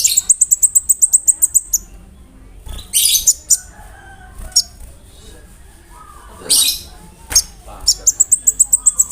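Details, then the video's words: Konin bird in full song, imitating crickets and other birds, used for training songbirds: a fast, even run of high cricket-like pulses, then scattered sharp chirps and quiet gaps, ending with another rapid pulsing trill. "SUARA KONIN GACOR ISIAN JANGKRIK, BREM, KAMADE, RAMBATAN FULL MEWAH"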